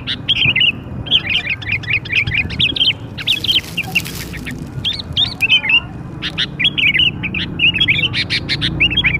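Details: Sooty-headed bulbul singing energetically, used to lure young birds: runs of bubbly, slurred notes and sharp chirps, with a brief rustling noise partway through.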